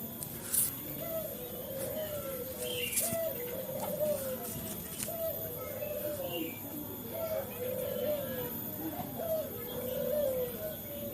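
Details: Male local dove calling to prompt captive doves: soft, wavering coos repeated every few seconds under steady background hiss and faint distant chatter.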